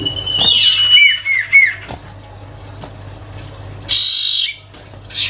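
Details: Sirtu cipow songbird singing gacor (lively, sustained song): harsh rasping bursts alternating with clear whistled notes sliding downward, then a separate rasp after a pause, over a steady low hum.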